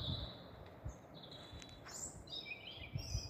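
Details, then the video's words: European robin song at night beneath street lights, Staple Hill, Bristol, 13 April 2020; short high, thin, varied twittering phrases follow one another quickly above a constant low-pitched urban hum. "Robins singing at night"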